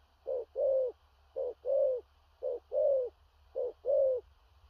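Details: Large spotted dove cooing powerfully, 'thổ rặc' style with stuttering accents: three repeated pairs, a curt hoot followed by a drawn, slightly falling mellow coo, against a quiet background.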